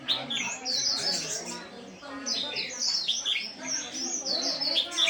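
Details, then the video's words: White-eye, named locally as khuyên đùi nâu, giving a lively chattering song: quick high chirps and twittering trills in rapid, irregular bursts throughout, with softer lower warbling underneath. "Khuyên đùi nâu líu"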